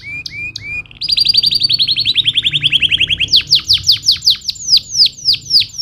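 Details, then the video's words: Canary giving a stimulating song: a few paired chirps, then a long rapid trill of rising notes, then a slower roll of loud descending whistled sweeps, clean with almost no background. "Stimolare il suono della cannella che brucia rapidamente suono."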